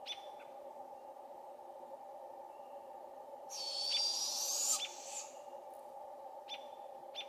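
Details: Juvenile Barred Owl in a British Columbia forest calling for its parents gives one long, harsh, rising hiss-like rasp lasting over a second, with steady insect drone, faint clicks and Robins chirping behind.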